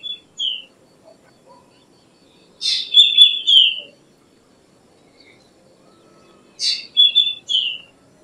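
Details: Black drongo gives short whistles, then two spaced song phrases about four seconds apart, each a rasping burst followed by three bright falling whistled notes, in otherwise quiet surroundings.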